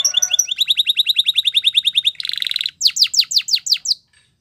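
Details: Spanish Timbrado canary singing a training song, a quick series of repeated chipping notes about six per second, then a dense buzzy trill and a run of sharp descending whistled notes before falling silent.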